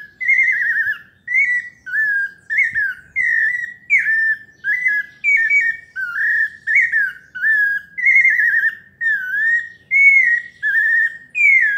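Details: Melodious paulista-style song of a pale-breasted thrush: a steady run of short, clear whistled phrases, some trilled, some slurring downward, delivered almost without pause across the whole stretch in a quiet setting.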